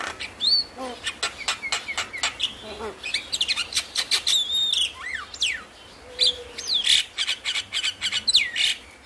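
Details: Javan myna (jalak kebo) lure song, used to stimulate lazy or stressed mynas into singing: rapid run of sharp clicks and chatter mixed with loud slurred whistles, some rising, others falling, with brief gaps between bursts.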